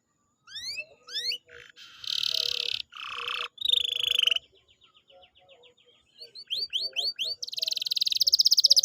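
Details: Canary singing, meant to prompt a silent canary to start singing: rising whistled sweeps, harsh buzzy bursts, a soft rapid trill, then quick upslurred notes into a loud rattling roll.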